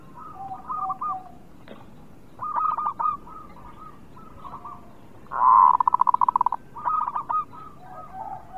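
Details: Local zebra dove singing, used to lure reluctant birds into song: soft rolling coos in short phrases, one louder purring trill midway, over steady background hiss.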